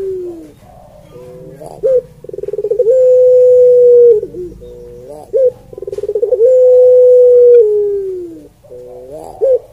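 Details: Barbary dove (Streptopelia risoria) calling at home: quick pulsed notes build into a sustained level coo lasting over a second, followed by short bent grunts; the pattern repeats twice.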